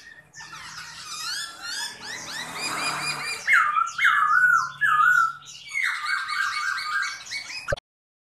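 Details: A large caged Chinese hwamei sings while flaring and dancing its wings: a rich, varied run of loud whistles, slurred notes and rapid trills, with bold falling phrases repeated in quick succession.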